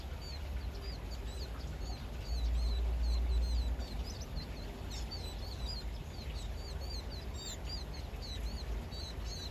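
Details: A flock of vinous-throated parrotbills on an early morning by the Uicheon stream in South Korea gives a busy stream of thin, high twittering chips, several each second, over a low rumble of wind or distant traffic.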